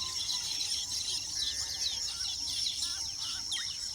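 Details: Nesting weavers call together in quick, overlapping chirps and downslurred notes, with a brief buzzy rattle near the middle and a constant high shrill drone behind them.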